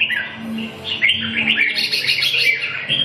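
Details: Red-whiskered bulbul at a bird gathering in Thúy Lĩnh, pouring out a short, busy stream of warbled and chattering notes, with a low steady hum beneath.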